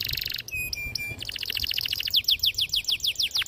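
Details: Canary singing long and emotionally, a training lure for young birds: short trilled bursts and steady whistled tones lead into a run of repeated clipped notes, then a series of descending swooping whistles.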